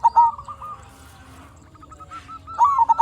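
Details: Local zebra dove song meant to lure other doves: a short rippling phrase of coos opens, faint soft cooing follows through a quieter middle, and another louder rolling phrase closes.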